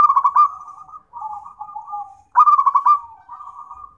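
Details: Local zebra dove song used for therapy and as a tutor recording for training other birds: two phrases of low, rolling, trilled coos, each opening with a louder burst and trailing into softer, wavering purrs, in a quiet setting.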